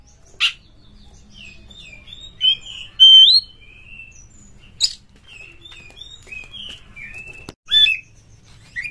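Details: Quiet, scattered kacer song, an Oriental magpie-robin lure to rouse fighting mood: short thin whistles and slurred notes with pauses, punctuated by a few sharp loud harsh clicks.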